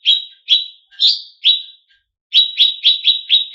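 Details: Greater green leafbird song used to provoke competition birds: four loud, slurred descending chips with a rising note among them, a short pause, then six quicker, clipped high chips.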